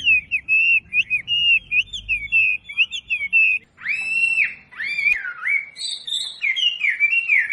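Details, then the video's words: Masteran recording of a wambi to help captive birds learn: rapid, even, trilling whistles for several seconds, then loud upswept and descending notes with a single sharp click in between. "SUARA MASTERAN BURUNG WAMBI BELAJAR BUNYI PASTI IKUT NYAUT"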